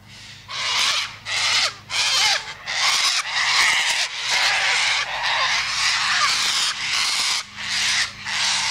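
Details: Persistent cockatoo screeching, a dozen or so harsh squawks in quick succession, about one and a half per second, with a faint low hum at times beneath.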